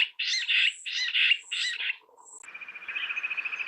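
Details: Four rasping jungle bush quail notes in quick succession, then a pause and a fast, even, high pulsed trill continuing to the end.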